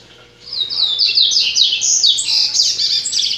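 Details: Double-collared seedeater singing in courtship during breeding: a fast, unbroken stream of high, twittering, slightly buzzy notes, about four per second, jumping between high pitches over a faint, steady low hum.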